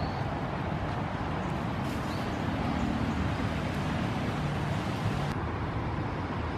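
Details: Steady roar of road traffic fills the recording outdoors in an urban setting, with no animal call audible.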